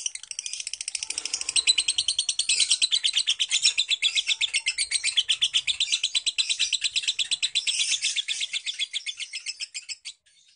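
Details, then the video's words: Long ngekek trill of a lovebird kept at home: a continuous, rapid, rattling chatter of high, evenly pulsed notes sustained for about ten seconds, easing off at the end. "Lovebird ngekek panjang"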